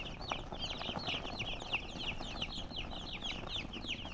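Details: Brief burst of chicken chirping: crowded, high, slurred peeps from many birds, repeated about three times a second, over soft background noise.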